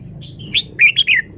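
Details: A caged red-whiskered bulbul gives a short, loud song phrase: a rising whistle, then three quick, bubbling, warbled notes, sweet and clear.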